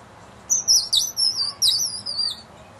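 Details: A hungry young woodpecker being fed at a bird house on a front patio gives high, squeaky chattering notes in a quick run of about six bursts over two seconds.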